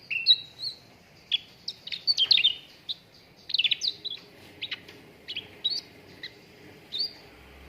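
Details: Training lure of cucak ranting song meant to prompt contest birds into full song: scattered bright chirps and whistled slurs, a dense burst of mixed notes around the middle, then spaced single chirps.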